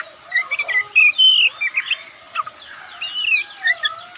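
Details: Oriental magpie-robin, white-breasted Kacer Poci form, in a softer relaxed singing passage: lower warbled whistles and slurred notes in uneven groups, with faint scratchy chips in between.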